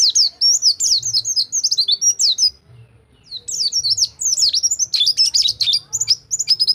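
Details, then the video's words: White-eye singing rol tembak, a tutor song for white-eyes that stopped singing: lively high twitters and downslurred notes, a short break, then an energetic tangled run of chattering notes. "Masteran Pleci Rol Tembak Untuk Pleci Macet Bunyi"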